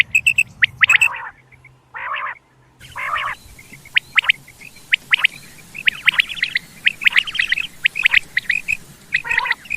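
Quail calling in short, sharp chirps and squeaky notes, many in quick succession and overlapping, as if several birds call together; no other sounds intrude.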